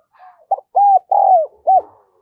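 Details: Decoy spotted dove calling in the 'đồng son' voice to lure wild doves; a soft lead-in, then a single phrase of a clipped note, two long mellow coos, the second sliding down, and a brief closing coo.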